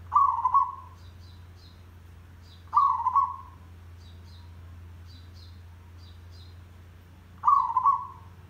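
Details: Zebra dove song used as a trapping lure, in the dense 'derak' style: three short, burry, trilled coos spaced about 2.5 s apart over a steady low hum, with faint high chirps in the gaps.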